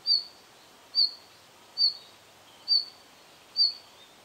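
A red-flanked bluetail gives five short, high, thin whistled notes, one roughly every second, over a faint steady background hiss.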